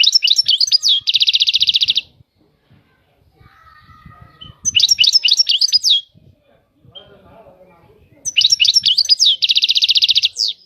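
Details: Three phrases of goldfinch song, each made of liquid chirps followed by a dense, rapid trill. Quiet gaps between them hold faint low background noise.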